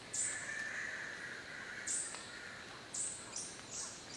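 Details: Adult male Three-wattled Bellbird on its perch in Curi-Cancha Reserve, Monteverde, Costa Rica, giving its very loud call: a sustained mid-pitched tone lasting over a second, with short thin high notes at the start and twice more later.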